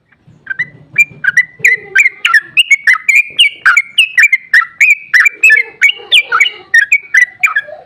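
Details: Sooty-headed bulbul (trucukan) in a long rapid rolling song meant to provoke other bulbuls to answer: fast bubbling series of short liquid whistled notes, about three per second, jumping up and down in pitch, with faint low hum early.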